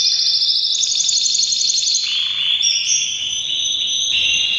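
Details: Canary in breeding season delivering a powerful song of high, sustained rolling trills, stepping down then up in pitch across several connected phrases.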